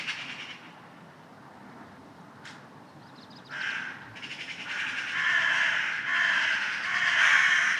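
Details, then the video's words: Loud early-morning crows: after a quieter stretch with a sharp click, harsh rasping caws build up and overlap, growing denser and louder toward the end. "Crows Crowing Very Loud Ambience Sound Effect"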